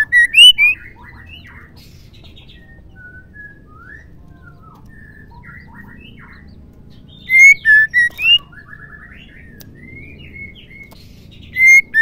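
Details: A female white-rumped shama calls, a sound used to provoke male shamas to sing. Short bursts of three to five loud whistled notes arrive about every five seconds, with softer twittering and chattery notes between them.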